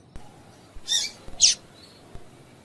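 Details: Female double-collared seedeater calling, used to stir males into singing: two short, high, bursting chirps about half a second apart, with faint clicks and a quiet background.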